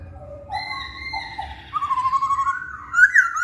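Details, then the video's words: Masked laughingthrush song used as a lure to make males answer: long steady whistles, then a quickly warbled rising phrase ending in sharp, bright notes. "Poksay Hongkong Jantan Manapun Pasti Nyaut Saat Dengar Pancingan ini"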